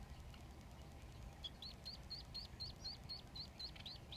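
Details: Three Society finch chicks in the nest beg with rapid, high, thin chirps, about four a second, while their father feeds them, over a steady low rumble.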